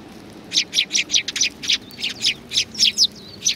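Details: Eurasian tree sparrows flock to food at a Tenmangu shrine on 19 April 2019. A close bird gives a rapid run of about a dozen loud, high, slightly buzzy chirps, spaced roughly a fifth of a second apart.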